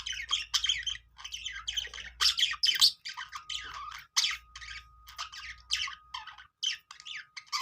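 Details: Happy budgie birds giving short harsh chirps and warbled bursts separated by brief gaps, over a low hum and a thin steady tone.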